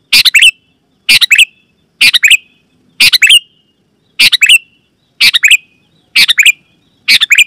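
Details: Loud, clear Sooty-headed bulbul call for luring wild bulbuls in forest and prompting caged ones; bubbly three-note chirped phrases repeated roughly every second, eight phrases, quiet background.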